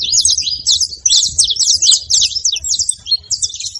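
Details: Saffron finches (canário-da-terra) give busy, high-pitched twittering song, quick sharp notes tumbling in short bursts with brief gaps, over a quiet low background hum.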